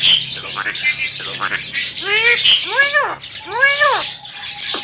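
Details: Javan myna uttering loud arched, downslurred wailing calls in a short series over constant high hiss, with a thin level whistle near the end.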